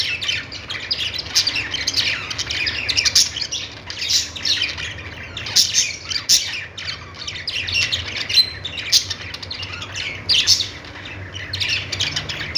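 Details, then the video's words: Budgerigars singing in a long, busy stretch of rapid, harsh chirps and squawks, rising in clusters roughly every second or two, with a faint low rumble beneath. "Budgies singing |budgies sounds | parakeet chirping sounds"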